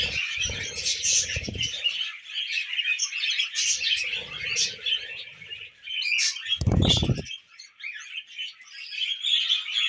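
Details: Pet budgerigars chatter over millet, a lively mix of high warbles, squeaks and sharp chirps, with several low thumping bursts from movement or handling.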